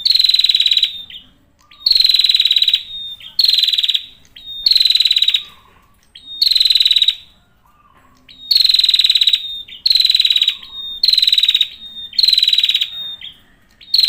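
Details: Male prinia in full, active song. It repeats high, rapid, rattling trills roughly every one to two seconds, each ending in a brief level whistle, with short soft low notes between the bursts.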